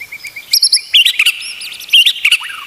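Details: White-rumped shama song kept as a training tutor for other shamas: high thin whistles and sharp chips, steady short notes at first, then bursts of rapid upward-sweeping trills.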